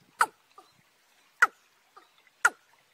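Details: Watercock recorded in March, young bird paired with a field bird: three loud, abrupt, downslurred knocks about one second apart, with weak fainter notes in the gaps and a quiet background.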